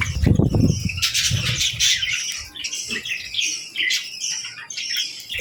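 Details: At feeding time, baby budgies and lovebirds feed and interact: a low thump and rustle at the start, then overlapping high chirps and squeaky twitters from several birds, rising and falling in loudness.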